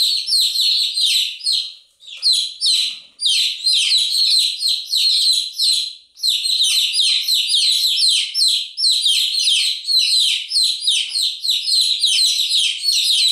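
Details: Many chicks chirping together in a continuous dense chorus of high, short, downslurred peeps, overlapping without pause apart from brief dips near two and six seconds.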